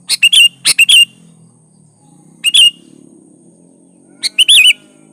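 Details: Sooty-headed bulbul, called kutilang, in an energetic lure song for prompting other birds to sing: rapid clusters of chirpy notes with bright warbled whistles, wavering at the end, over a low hum and faint high hiss.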